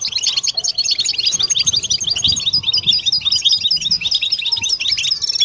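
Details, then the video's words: European goldfinches in collective 'batbata' twittering intended to stimulate mating song; a continuous, lively stream of high, bouncing chirps and liquid twitters fills the whole clip. "بتبتة حسون جماعية ضرورية لعلاج سكوت+تحفيز إنات لحسون قوى بتبتة جماعية لتحفيز حسون على تغريدة تزاوج"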